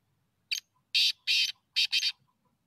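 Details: Black francolin (black teetar) giving its rasping hunting-context call: a short sharp note, two long buzzy grating notes, and a closing quick double rasp, loud and clear in quiet surroundings.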